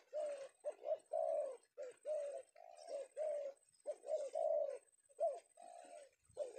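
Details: Male spotted dove (tekukur) from Indonesia, newly caught in the afternoon and prized by bird trappers, giving low hoarse coos in bursts of two to three notes, with short gaps and faint clicks in a small room.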